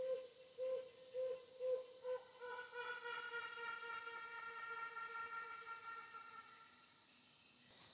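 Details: Helmeted hornbill of Borneo giving its long call: hollow hooting notes repeated about twice a second, speeding up and merging into a continuous sustained tone, with a steady high insect whine throughout.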